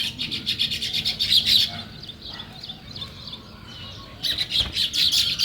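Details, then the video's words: Morning sparrow chirping in a natural setting, with rapid runs of high, bright chirps for over a second, a quieter gap, then another lively burst of overlapping chirps. "Natural Sparrow Chirping Sounds"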